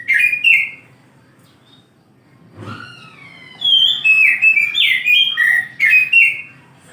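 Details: Morning song of an oriental magpie-robin, called kacer: a short burst of whistles, a pause with a soft low thump, then a rich run of clear, bending whistled notes that step up and down.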